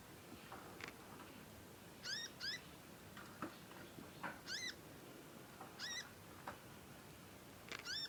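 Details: Juvenile conin learning to sing, used as a master track for other birds. Sparse bright double chirps, each sharply bent, come every second or so, between fainter ticks and a low noisy background.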